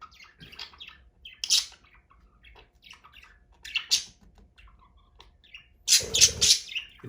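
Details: Pet budgerigars in their cage give scratchy, high chirps and warbles in irregular bursts, with a louder squawky flurry near the end, while their owner talks quietly about cage cleaning in between.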